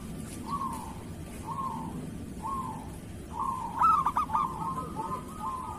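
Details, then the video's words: Local zebra dove, kerot singing style, meant for training other doves: several soft, drawn-out cooing notes repeated about every second, then a louder burst of quick rolling pulses trailing into a sustained coo. "Suara perkutut lokal masteran perkutut kerot"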